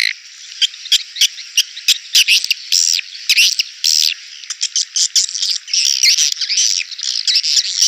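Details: Clear swiftlet lure call for a crowded bird house: rapid overlapping high buzzy chirps and ticks in steady chatter, some notes sliding up and down.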